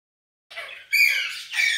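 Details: Green Indian ringneck parakeet, a pet bird said to talk and whistle in Urdu and Hindi, gives two short harsh, raspy squawks after a moment of silence, the second louder and longer.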